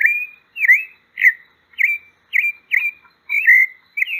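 A pale-breasted thrush sings short clear whistled phrases around two to three kilohertz, about two per second, with slurred up-and-down notes and no other sounds.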